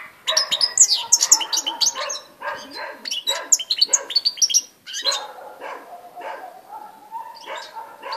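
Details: Song of a European goldfinch, dated 18 December 2016: dense high twittering and trilled phrases for the first five seconds, then rougher, lower bursty notes with a steady faint tone in the background.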